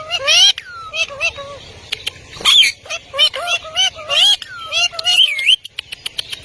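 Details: Talking Indian ringneck parakeets saying words in Urdu and Hindi: a series of clear, tonal speech-like phrases with harmonic, bending contours, quick syllables and short gaps, plus high sharp clicks.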